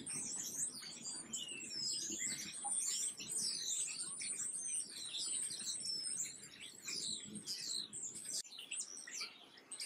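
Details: Black-capped chickadee giving rapid high-pitched chips and thin whistled slurs, some rising, in dense overlapping chatter that eases slightly toward the end.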